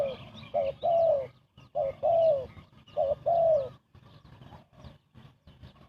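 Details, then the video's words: Spotted dove giving rapid coos for trapping birds: three strong phrases of a short quavering note and a longer sliding-down coo, then the calling stops and only faint soft sounds remain. "Chim cu gáy gù tốc độ"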